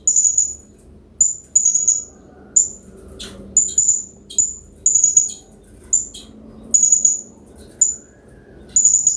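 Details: Serindit, a hanging parrot of the genus Loriculus from Southeast Asian tropical forest, used as a master song to stimulate other birds to sing; very high thin sharp chirps in short bursts, often doubled, repeated about every second over faint low water noise.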